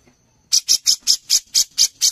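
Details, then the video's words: Brown-cheeked bulbul recorded as contest master material: a short quiet lead-in, then eight loud, harsh, rasping notes evenly spaced about four per second. "CUCAK JENGGOT GACOR"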